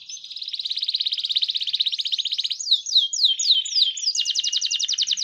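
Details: Canary song in the Indonesian 'gacor cengkok mewah' style: a long, rising, fast rattling trill, several clear downslurred whistles, then another rapid high trill.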